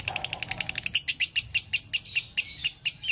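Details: Lovebird calling in the dobelan style, also described as konslet: a rapid burst of sharp, high ticks for about a second, then a steady run of shrill, piercing chirps repeated about six times per second.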